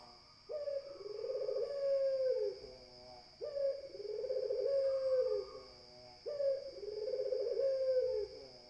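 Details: Barbary dove repeating a long, throaty coo three times, each beginning with a sharp upward note and sustained in a vibrating, level tone for about two seconds; faint continuous high hum.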